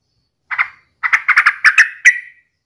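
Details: Sooty-headed bulbul song, played to prompt other bulbuls to sing: one short note, a pause, then a quick bubbly run of six or seven mid-pitched chirps, the last trailing off, with a silent background.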